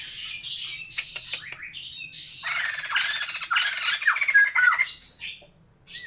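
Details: Noisy harsh cackling from a captive breeding pair of Sumatran white-crested laughingthrushes, building to a loud raucous burst with clear whistled notes near the end; a steady low hum sits underneath.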